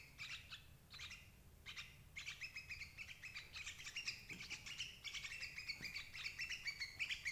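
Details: Sooty-headed bulbul calling, played to trap parent birds: a few spaced chirps open, then a dense, continuous run of bright chattering notes, about three or four per second, with steady low hum.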